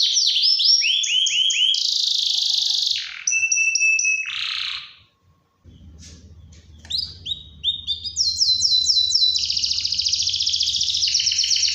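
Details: Domestic canary song used as a lure to set other canaries singing, including females in breeding condition: rapid repeated rising and falling whistled notes, a steady high tone, then a brief quiet gap and long fast trills, with faint low hum.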